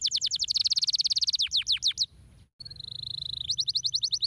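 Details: Canary song opens with a dense, rapid rolling trill, slows into a few sweeping downward whistles, then breaks off briefly before a long flat whistle and a new crisp trill.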